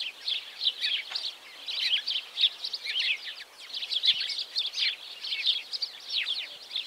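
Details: A small group of house sparrows on a henhouse roof, seen in slow motion with songs added afterwards: many short bright cheeps overlap into a busy, high chatter. No other sounds stand out.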